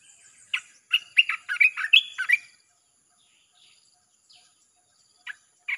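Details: Red-whiskered bulbul singing without pause as bait for wild birds: a dense, fast phrase of chirpy, warbling whistles lasting two seconds, followed by silence and two isolated short notes.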